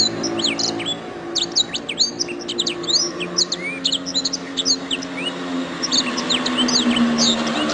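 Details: Canary master song for training other songbirds: rapid high twittering of sliding whistles, trills and chirps in quick varied phrases over a steady low background hum.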